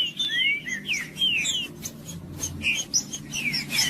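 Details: Green-winged saltator singing, played to get a quiet bird to sing: rich whistled slurs rising and falling, delivered in quick phrases mixed with thin high chips, over a low steady background hum.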